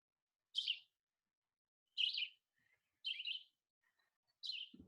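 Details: Red-eyed Vireo song, as heard in South Carolina in spring: four short, burry, whistled phrases, about one every 1.25 seconds, saying "vireo" much faster than the Blue-headed Vireo. A soft low thump comes at the end.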